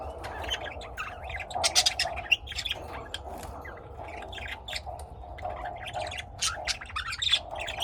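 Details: Several house-kept lovebirds in Austin, Texas, chatter almost continuously, with dense runs of piercing, squeaky chirps and squawks and brief gaps. A steady droning hum sits beneath.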